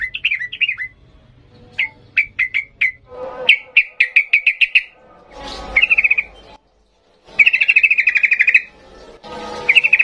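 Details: Sooty-headed bulbul singing energetically in the 'ngalas' style: bursts of short, bright repeated notes, a brief silence, then a sustained buzzy trill and further clipped note series.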